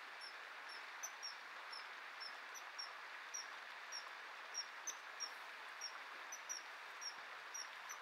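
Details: Common kingfisher pair during courtship feeding, where the female refuses the offered fish and the male eats it himself: short shrill high whistles, repeated two to three times a second, over a steady broadband rushing background.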